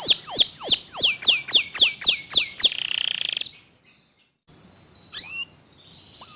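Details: Local canary singing fast 'tembakan' phrases: eight loud descending swept notes, about four per second, then a brief buzzy trill, a pause, and a few scattered high chirps.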